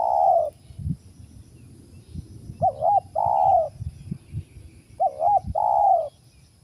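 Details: A wild spotted dove targeted by trappers gives a long husky coo, then two phrases of a tremulous double note followed by a sustained, gently falling coo, over faint low knocking.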